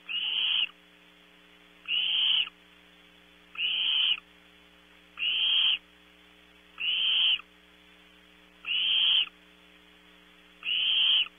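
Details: Nestling barn owls at Audubon Starr Ranch, California, competing for prey at night; seven short, evenly spaced rasping hisses, one about every 1.7 seconds, each ending abruptly, with a faint background hum throughout.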